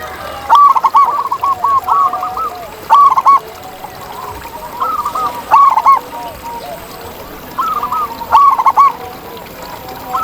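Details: Wild local zebra dove, loud and active, repeating brief stuttering phrases of bright coos roughly every two and a half seconds, with lower cooing from other doves between phrases.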